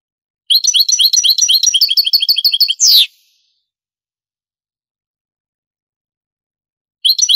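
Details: European goldfinch song, Granada style, taken from an original Spanish cassette of the late 1980s and early 1990s; a quick run of high, repeated metallic twitters finishing with a harsh downslurred note, then silence before the next phrase starts.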